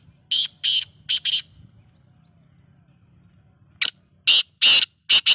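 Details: Black francolin heard in harsh, buzzy bursts of two to four notes. A silent stretch separates the two phrases, with a faint low background rumble.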